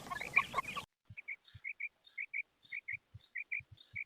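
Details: Fat quail in the morning: after a brief noisy burst, clear paired whistled notes repeated about every half second, each pair short and even, with soft low thumps.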